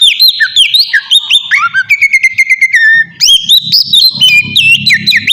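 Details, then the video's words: Lure song of an oriental magpie-robin meant to make other birds respond: loud, varied whistles and quick chirps in fast succession, one steady repeated note run in the middle, with a soft low hum behind. "suara pancingan burung kacer ampuh!! buat pancingan kacer bahan dijamin langsung nyaut"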